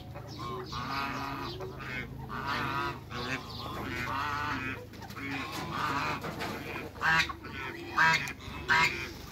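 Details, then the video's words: Hybrid Cayuga and mallard ducks being met, giving a flock chorus of harsh, nasal, overlapping quacking calls throughout, with louder honking bursts near the end. "MEETING HYBRID CAYUGA & MALLARD DUCKS"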